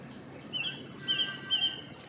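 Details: Song Thrush singing at the leaf yard on a cold, dull, dark morning: three short, bright, high phrases in quick succession, about half a second apart, over a soft low background rumble.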